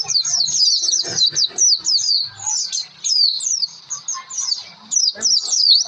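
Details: High, busy twittering of an Oriental white-eye, a pleci lure song meant to set other birds singing; quick chains of sharp down-slurred notes run almost without pause, with soft low-pitched background sounds.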